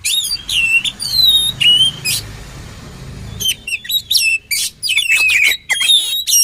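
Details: Oriental magpie-robin song for training birds: crisp whistled and chattering phrases, a second-long lull with low background hum, then rapid repeated sharp notes and whistles.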